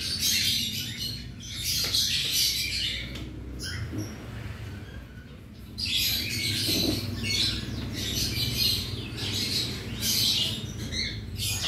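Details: Aviary colony of some 100 cockatiels during everyday cage cleaning; dense, scratchy, high screeching chorus in long bursts, dropping briefly around the middle before swelling again, with background hum.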